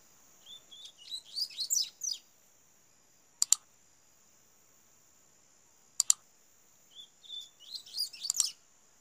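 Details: A young double-collared seedeater, a chick whose song is developing after tutoring, gives two high, quick twittering phrases about six seconds apart. Two sharp clicks fall between them, over a steady high whine.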